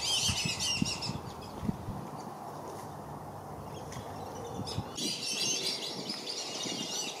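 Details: Black-bellied whistling ducks in Lakeland, Florida, parents chasing intruders away from their brood; bursts of crowded high whistles open and close the stretch, with a quieter middle of murmuring water.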